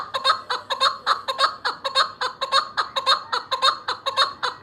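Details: Chukar partridge, a hunting bird, calling in a steady rhythmic run of doubled chuck notes, roughly two per second, loud and close with little background.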